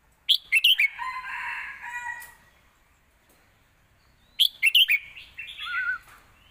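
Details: Red-whiskered bulbul in a cage sings a complete scoring song, kept as a lesson for young birds: two loud rollicking warbled phrases, the second ending in a wavering lower whistle.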